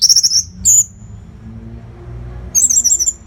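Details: Orange-headed thrush in nonstop tutor song for fighter birds: a rapid high stuttering trill, a piercing whistle, a short silence, then another fast high chattering run.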